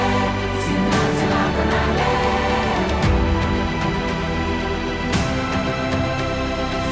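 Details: No animal voice, only music with singing, steady harmonic tones and a full low backing running throughout.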